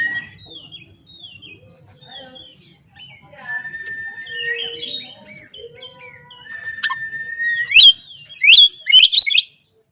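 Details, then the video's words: Oriental magpie-robin singing to provoke rivals: varied whistled phrases and slurred notes, a long steady whistle near the middle, then loud rapid sharp chirps and harsh bursts toward the end. "KACER GACOR NGOBRA, Kacer Lain Pasti Langsung Emosi Buka Ekor Kalau Dengar Suara Ini"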